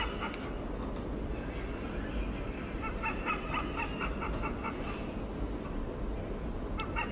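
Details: Hornbills in Singapore give a quick run of harsh, yelping notes, about four a second, mid-pitched with a nasal ring, over a steady background hiss.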